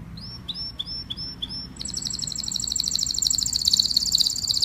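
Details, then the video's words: Canary song calling the flock: a few separate high, clipped notes, then a long, quick, ringing trill that grows louder toward the end. "Tiếng chim Hoàng Yến hót gọi đàn"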